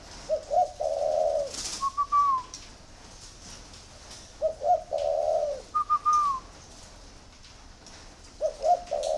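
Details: Spotted dove, an ordinary bird kept by a breeder, coos again after the keeper urges it on. The phrase repeats about every four seconds: clipped opening notes, a drawn-out rolling coo, then higher trailing notes. A quiet background hum.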